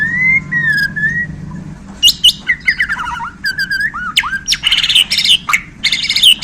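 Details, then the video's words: Borneo white-rumped shama, just handled, singing spicy isian: smooth slurred whistles, then rapid harsh chattering bursts and looping notes, ending in dense buzzy squawks, with a low hum underneath. "Murai Borneo Ini Langsung Kasih Isian Pedas!"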